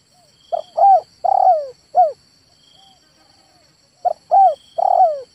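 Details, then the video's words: A male spotted dove giving two coo phrases: short clipped notes, a rolling longer coo, then a falling final coo, with a soft high-pitched hum in the background. "SUARA TEKUKUR JANTAN"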